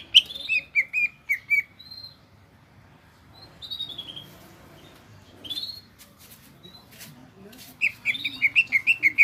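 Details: Gropyokan gacor song of the greater green leafbird: bursts of quick twittering whistles and scattered high slurred notes separated by quieter passages, ending in a rapid trill-like run.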